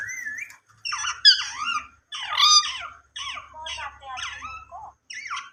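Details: Talking ringneck parrot in a small room, a slurred whistled note followed by harsh, speech-like babbled syllables in uneven bursts of about a second each, with brief gaps between them.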